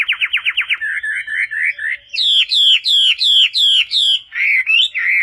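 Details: Chinese hwamei song for training other birds: a fast rattle of six quick notes, short rising chirps, then loud down-slurred whistles repeated about twice per second, closing with warbled phrases.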